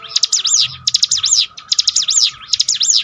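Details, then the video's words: Bar-winged prinia singing, played to restore a downcast bird's spirit: shrill, buzzy stuttering phrases of up-and-down notes, four bursts in quick succession over faint low noise. "bikin ciblek gunung Ngetop || down mental bangkitkan lagi"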